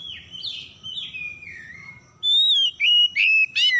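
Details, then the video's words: Lure recording of Oriental magpie-robin song meant to start stressed, silent birds singing: soft falling whistles give way to loud, clear whistled notes and sharp upward-sweeping phrases, repeated quickly in short bursts. "PANCINGAN PEMIKAT KACER SETRES MACET BUNYI LANGSUNG GACOR"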